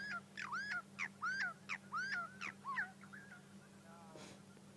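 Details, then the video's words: A Burchell's starling on the ground at sunrise in Sabi Sand, 28 May 2016, picks at grass seeds and chirps furiously: a quick series of slurred whistled notes that rise and dip, over a low engine hum. "that's lovely not often we get to see a starling calling"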